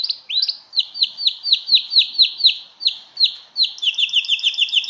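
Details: Canary song for mating, Belgian type: a steady tour of downslurred whistled notes repeated about three times a second, ending in a higher, doubled rapid trill.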